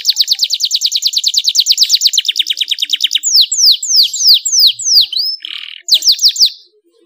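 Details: Singing canary meant to stimulate other canaries to sing: a long, even, rapid trill of pulsed notes shifts lower, then gives way to a series of loud downward-sweeping whistles ending in quick chips.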